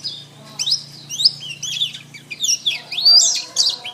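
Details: Canary singing as a training recording for cage birds: rapid high rising and falling whistles and chattering trills, building in loudness toward the end, with a low hum in the first half.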